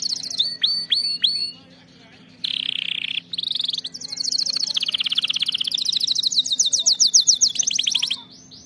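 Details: Canary song used for training canaries to sing: a series of downward-swept high whistles, a pause, then buzzy phrases giving way to long, fast, evenly repeated rolling trills high in pitch.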